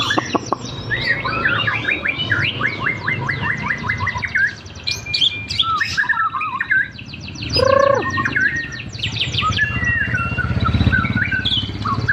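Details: A champion white-rumped shama placed at ground level by a street keeps up a lively song of rapid ticking notes, rising and falling whistles and a loud harsh burst near the end, against a low traffic rumble.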